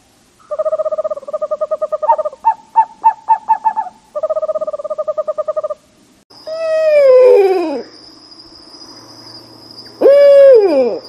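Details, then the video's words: An owl gives rapid, mid-pitched purring trills, then two wavering whinnies that slide steeply downward, with a thin steady high whine behind them. "Sound of Owls"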